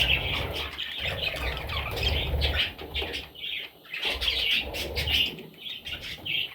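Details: Young parrots chirping in a chorus of short high squeaks and raspy notes, with low rumbling noise beneath at times and brief quieter gaps.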